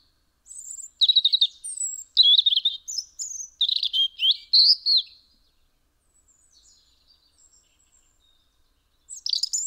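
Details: A European robin, recorded from a house window in Eibar, Gipuzkoa, in December 2019, sings a high, thin, liquid warble of quick varied notes for about four seconds, pauses, then starts a new phrase; no other sounds.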